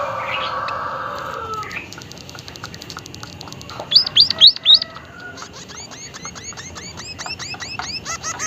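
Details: White-headed munia calling actively with an unusual voice: a run of five loud, high, arched chirps in quick succession, amid many fainter repeated chirps from other small birds; a lower hoarse sound opens the recording.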